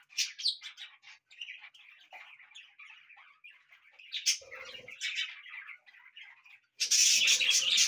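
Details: Pet budgerigars singing indoors: a continuous, busy warble of chattering, scratchy notes and short chirps, ending in a loud burst of harsh, broadband noise.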